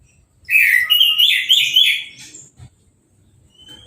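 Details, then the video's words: Orange-headed thrush, a cage bird just through its moult, bathed by hose spray and left without a cover, pours out a loud rich warbling phrase of rolling whistles lasting about a second and a half, then falls quiet apart from a faint thin whistle. "Anis Merah Sehabis Mabung Mandinya Disemprot Selang , Gak Pakai Kerodong , Bisa Langsung Berbunyi"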